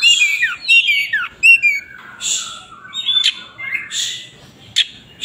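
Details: White-rumped shama (kacer) in full song while spreading its tail: loud varied phrases of downslurred whistles, chattering notes and harsh squawks, interrupted by sharp clicks.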